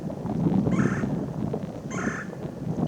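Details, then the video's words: A male red-bellied woodpecker, foraging up a tree on a sub-zero Midwest winter morning (-11°F), gives two short, rolling, burry calls about a second apart over steady low wind rumble. "This red-bellied woodpecker also vocalized quite a bit."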